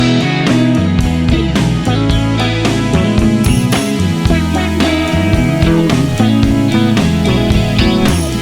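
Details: Loud rock music with strummed guitar and a steady drum kit beat throughout, and no animal voice heard.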